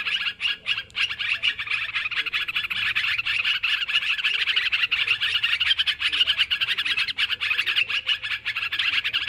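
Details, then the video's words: Noisy sooty-headed bulbul calling recorded for luring birds: an unbroken wall of rapid, overlapping chirps and bubbly notes from many birds throughout. "Suara Mikat Trucukan Ribut"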